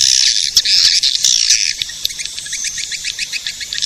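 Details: Edible-nest swiftlet calling sound meant to attract swiftlets: loud, dense chattering at first, easing into spaced high chirps about twice a second.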